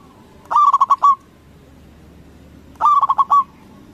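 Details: Zebra dove (perkutut lokal) calling loudly to prompt other doves to reply; two bouts of rapid staccato coos, each ending in a longer note, about two seconds apart.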